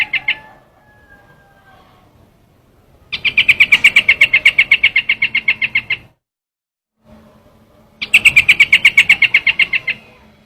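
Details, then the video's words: Lure recording of a trao trảo bird: brief high notes, then two long bursts of rapid, evenly spaced sharp chirps, roughly three seconds each, separated by a short silence. "tiếng chim trao trảo"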